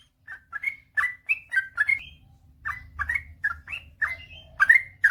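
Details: Yellow-vented bulbul in energetic long-rolling song: uneven clusters of liquid whistled notes, some gliding upward, broken by a short pause midway, with soft low rumble behind.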